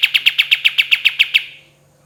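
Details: A kapas tembak in lively song delivers a quick run of eleven ringing, slightly buzzy notes at a steady pace that then stop, leaving a soft fading tail and a faint low hum.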